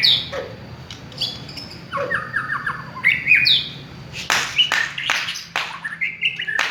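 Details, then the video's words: Village-type white-rumped shama song used to lure other birds into singing: scattered clear whistled notes, some sliding, mixed with loud harsh rasping bursts, over a low background hum. "Pancingan suara burung murai batu kampung"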